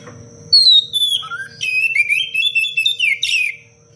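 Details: Loud 'cengkok rapat' song of an Oriental magpie-robin recorded to tutor other birds: a bright falling whistle, a rising slur, then a fast, continuous stream of warbles and trills ending in a sharp flourish.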